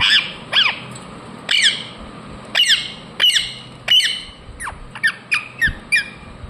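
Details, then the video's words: Indian ringneck parakeet chirping: about a dozen harsh, sharply descending squawks with buzzy overtones. They come roughly one per second at first, then quicken into a run of shorter calls near the end, over a faint steady background hum. "Parrot Chirping sounds Natural Sound | Ringneck parrot Naturals Sound"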